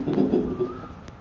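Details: A captive rescued barred eagle-owl, fed at dusk and dawn, gives a brief, low, hoarse call begging for food at dinner time, with a faint thin rising note behind it and a person talking nearby.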